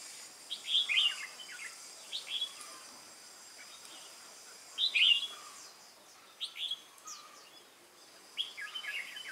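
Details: Red-whiskered bulbul, wild-caught, singing competitively on 22 October 2018: loud liquid warbled phrases repeated every few seconds, each followed by softer trailing notes, with steady high background hiss.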